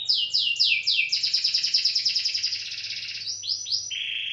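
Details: Canary delivering quick falling slurred notes, then a long rapid rattle of repeated pulses, ending with short rising phrases and a flat, lower whistled roll; a light mechanical hum underneath.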